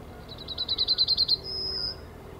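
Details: Male yellowhammer in the Ahsewiesen nature reserve, mid-morning on 17 February 2019, filmed with a Panasonic Lumix GH5. About nine rapid, clipped high notes build in loudness and end in a sustained, slightly higher whistled tone. The surroundings are quiet.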